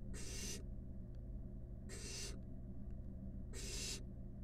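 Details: In a monitored nest box, five wild barn owl nestlings snuggle together and give three rough, breathy hisses at regular intervals of about 1.7 seconds. Faint clicks fall between the hisses, and a low mechanical hum runs throughout.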